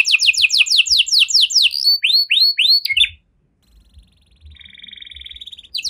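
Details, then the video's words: Canary in the cengkok mewah style, sung to get other canaries going: fast falling notes, a few slower sweeping whistles, a short pause, then a softer buzzy rattle. "Burung Kenari Mana Saja Pasti Ikut Gacor Setelah Dengar Kenari Cengkok Mewah Ini"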